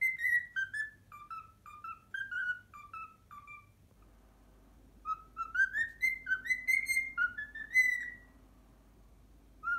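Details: Cockatiel kept as a pet whistles the Pythagora Switch opening theme it has learned, a run of descending whistled notes, a brief silence, then a livelier burst of rising and falling whistles.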